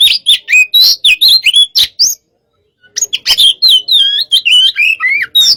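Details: Hot-type white-rumped shama in pacingan: a fast flurry of high whistles and twangy notes, a brief silence, then a longer, busy stream of varied warbled whistles and chatter.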